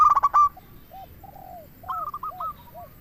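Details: Zebra dove lure song meant to make other doves reply: a rapid rattling burst opens, then soft separate coos, then higher rolling coo notes ending in lower arched coos.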